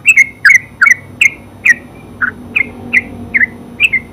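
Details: Ngeropel singing by a terucuk, or yellow-vented bulbul: clear, evenly spaced downslurred chirps, roughly two or three per second, ringing and whistle-like.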